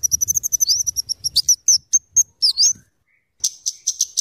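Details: Scarlet-headed flowerpecker (cabe cabean) singing vigorously. A rapid chatter of high ticks runs about four per second, broken by thin rising slurs, then a short silence before another burst of sharp high notes.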